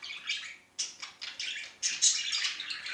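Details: A male budgerigar showing affection chatters in quick, scratchy bursts of high chirps and squawks, several short phrases a second, in a quiet indoor room.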